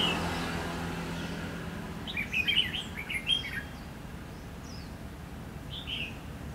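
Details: At Lương Sơn, Hòa Bình, a red-whiskered bulbul is heard during late-season trapping beside a decoy bird. It sings a tumbling cluster of quick, high, chattering notes for about a second and a half, then one lone chirp. Faint rumbling noise sits underneath.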